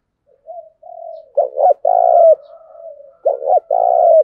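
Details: Low, rolling spotted dove coo for training decoy birds. Soft murmured coos lead into two loud phrases, each a quick double note followed by a sustained purring coo.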